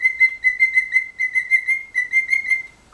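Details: Steady pulsed whistling from a lively cockatiel, about six notes per second held on one clear pitch for nearly three seconds, ending with a short upward slide.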